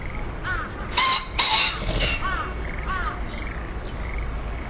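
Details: Wild green pheasant met by chance, calling while flapping its wings, filmed with a handheld digital camera; a creaky call like forcing open an old wooden sliding door. Two loud harsh bursts half a second apart, with softer arched notes repeating nearby.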